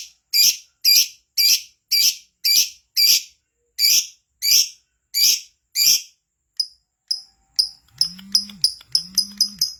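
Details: Lovebird, kept to sing keenly, repeating sharp harsh high chips about twice a second, then quickening into a run of shorter clipped notes while two low humming swells sound underneath.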